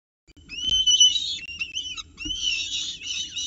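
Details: Peregrine falcon chicks at a nest box in Orange during the first breakfast at 9.36 am on 29 October 2018, adult delivering prey and chicks fighting over it; high, harsh whining and chittering cries with a rising squeal.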